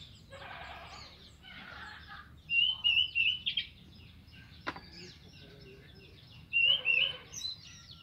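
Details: Orange-headed thrush singing in the morning, a tutor recording meant to prompt silent birds to sing: bright, fast, warbled whistled phrases in two bursts, with softer chatter and a sharp click between.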